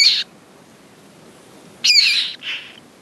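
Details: Common moorhen at its nest holding eggs and newly hatched chicks: a short harsh, noisy burst, then after a pause of about a second and a half two more rasping notes in quick succession, the second softer, over a quiet background.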